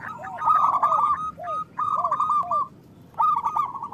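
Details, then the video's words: Zebra dove of local stock, singing often and loudly, its song meant to coax other doves to sing: three rolled, stuttering cooing bursts, each trailed by soft lower downward-curving notes, separated by short gaps. "Perkutut lokal gacor Suara Besar Pancingan Perkutut Cepat Bunyi Gacor"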